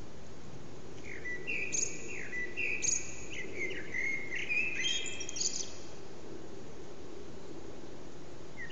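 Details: Backyard blackbird singing in the morning: a run of clear whistled notes with slurred, rising and falling phrases in the middle, then quiet, against a soft constant rumble.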